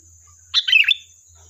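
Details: One quick sooty-headed bulbul phrase, played as a lure to draw an answer, made of chattering chirps that run into a short warbled whistle, lasting about half a second in otherwise quiet surroundings.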